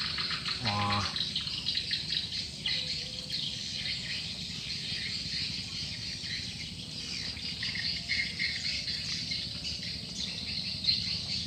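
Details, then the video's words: Swiftlets at a lure-call site, described as overwhelming in number: long stretch of dense high twittering, with a brief stepped tonal burst near the start. "Suara Burung Walet, Download Suara Panggil Walet"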